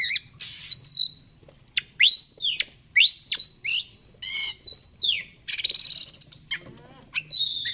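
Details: Energetic oriental magpie-robin song, a fast string of loud swooping whistles, arching chirps and a rapid rattling trill, low hum beneath.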